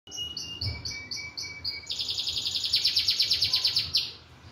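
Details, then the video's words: A canary sings a bright, high series of repeated chirps, starting with short whistled notes and shifting into a fast, rolling trill. "SUPER SINGING CANARY"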